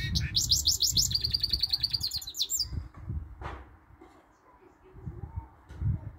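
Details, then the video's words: Male pet goldfinch × canary hybrid (mule) that sang with some canary notes all day long: a fast, bright twittering song with rapid trills and canary-like rolled notes for about three seconds, then quiet, over low room hum. "the goldfinch mule some canary note sings allday long"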